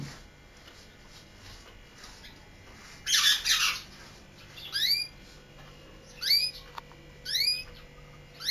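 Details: Canary, known as "Kaneri" in Quetta, Pakistan: a short harsh burst, then three quick upward-slurred whistles spaced about a second apart against low background hiss.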